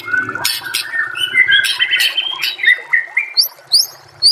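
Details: White-rumped shama master song used to train other shamas: rich varied phrases of sliding whistles and sharp upswept notes, shifting between low and high pitches, with a faint low hum in the background.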